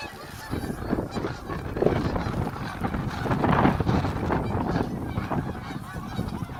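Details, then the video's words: A few hundred geese flying off from Heron Lake during a snow storm, a loud overlapping din of honking calls from the flock with rumbling wind and machinery-like noise throughout. "Waterfowl fly off during snow storm at Heron Lake."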